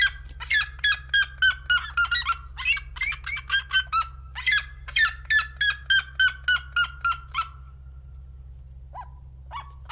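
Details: Seriema song from Brazil: a long series of loud, harmonic yelping notes repeated about three times a second, dropping slightly in pitch through each run, with a brief pause and faint notes at the end over a steady low hum.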